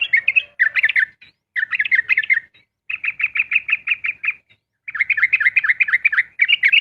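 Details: Yellow-vented bulbul (trucukan) singing fast ropel-style dawn song, used to test other birds' mettle: dense bursts of chirpy whistled notes, a steady run of evenly spaced rapid notes, brief pauses between bursts.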